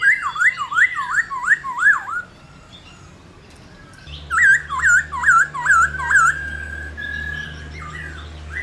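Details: Black-throated laughingthrush in fiery 'réo' singing, meant to stir other laughingthrushes into song: a run of five rapid looping whistled notes, a pause, then another burst of swooping whistles ending in a held tone, with low hum beneath.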